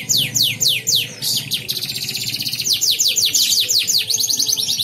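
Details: ['Competition song of a Mancini canary from Pontianak, West Kalimantan, entered in an online bird singing contest: loud repeated downward-sweeping whistles, about two per second, then dense high rolling trills.']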